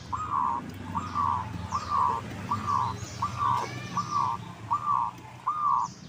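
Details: Local zebra dove, used as a lure to prompt other doves to answer: eight evenly spaced, arched mid-pitched coo notes, one roughly every 0.75 seconds, over a low rumbling background with faint high bird chirps.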